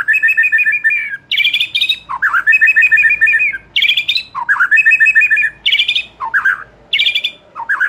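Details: White-rumped shama song used to coax a young wild bird moulting out of spotted juvenile plumage into full, loud singing: repeated phrases of high buzzy trills, rapid chattered note strings and dipping slurred whistles, cycling steadily without pause.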